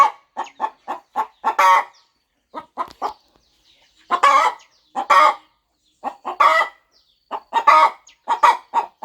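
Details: Farm mother hen fluffing up over her eggs as hatching nears; rapid soft clucks in quick series, then louder drawn, rasping notes spaced about a second apart.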